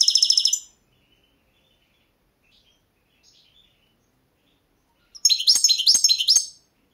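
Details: Balkan European goldfinch, subspecies balcanica, singing in a 2022 world championship song competition: a brief bright trill opens, then after a long silence a rapid twittering, buzzy phrase of high notes repeated several times.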